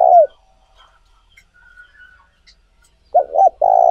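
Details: Spotted dove coo used to stir up wild doves for lure training. A long coo fades out at the start, then after a quiet gap two quick hooted notes lead into a drawn-out rolling coo.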